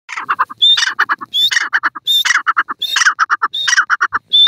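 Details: Grey francolin (desi teetar) calling in forest: a loud, clear, high whistled note, then a rapid run of four or five harsh clucking notes, the phrase repeated roughly every three-quarters of a second, close and strong.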